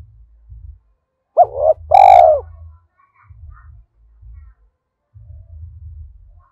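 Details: Spotted dove used as a decoy, thổ voice style, giving one coo phrase: a brief hooked two-part note followed by a full, drawn-out, gently falling coo. Dull low thumping continues before and after.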